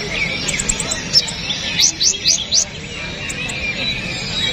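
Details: Kapas tembak bulbul song used as training material for songbirds: short, sharp, rising whistled notes in quick bursts, about four a second, over a steady hiss and faint chatter in the background.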